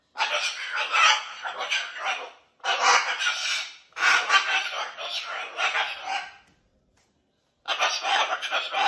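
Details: Rasping, noisy vocal bursts from a pet cockatoo that tells his stories with his whole body, four long scratchy phrases, then a silence before a last burst.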